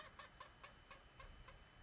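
A parrot gives seven short, clucking notes at a quick, even pace, about four each second, over a low background rumble.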